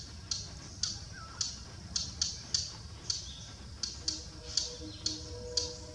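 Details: Thick-billed warbler in Buxa, calling continuously from bushes, gives hard, dry 'tchack' notes about two per second at an uneven pace, with faint whistles from other birds behind.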